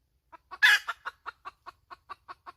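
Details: One loud harsh squawk from a hen, followed by about ten short clucks in a steady, even rhythm, in a quiet setting.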